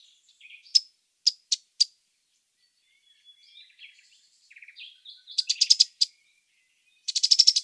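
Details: A Cetti's warbler bursts out with loud, rapid, high chattering song phrases near the end, after softer scattered chirps and thin notes from nearby birds.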